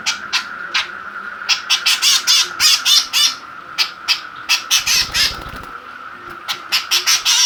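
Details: Kekep babi, the white-breasted woodswallow, kept caged and agitated with a plastic bottle it attacks; loud grating squawks in rapid clusters with short gaps, a steady high hum underneath.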